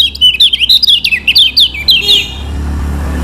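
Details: Lemon-bellied white-eye from Lombok, a lure song meant to rouse birds that are slow to sing: a rapid burst of bright twittering notes for two seconds, then a low steady hum.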